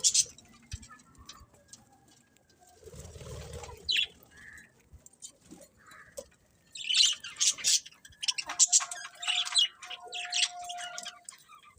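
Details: Pet budgerigars chirping. After a quiet, rustling start, a lively stretch of quick, high chirps and squeaky notes builds in the second half, with a thin steady whistle-like tone at the end.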